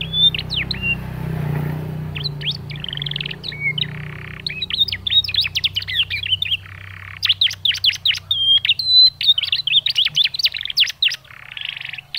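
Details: Juvenile canary's chirping, played to coax other canaries into song: strings of quick high chirps and brief whistles in bursts, with a few short gaps and a low background hum early on, growing denser and steadier toward the end.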